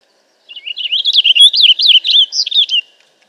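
A purple finch sings a rich, rapid warble of slurred, bubbling notes that tumble up and down for over two seconds, with no other sounds in the background.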